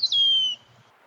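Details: Eastern Wood-Pewee at a state park singing its "pee-wee" song: one clear, slurred whistle, high at first and sliding smoothly downward over half a second, in an otherwise quiet background.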